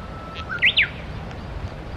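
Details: Japanese bush warbler by the Tsurumi River: a soft, low held whistle leads into two loud, bright slurred notes that climb and drop. Faint background hiss.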